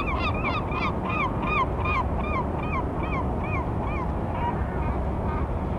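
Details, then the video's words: Early-season courtship calling of a Vega gull, 5 February, partners not yet close together: a long series of loud, bent yelping notes, about two or three a second, slowing and fading toward the end over steady low rumbling noise. "セグロカモメ求愛の鳴き声が始まりました まだ二人は距離がある"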